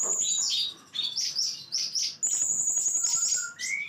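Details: Blue-crowned hanging parrot delivering full 'nembak' song. Rapid, high, sibilant chirps and a long, piercing buzzy trill are followed by a few thin whistled notes that slide upward.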